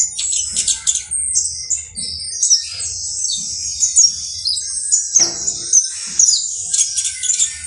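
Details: Canario basto criollo (saffron finch, Sicalis flaveola) giving a long high-pitched song of fast chirps, rising whistles and trills, with soft low knocks and hum in the background.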